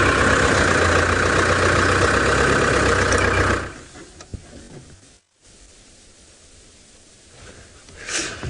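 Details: A vehicle engine idles loudly before cutting out, leaving faint outdoor background noise and no animal calls.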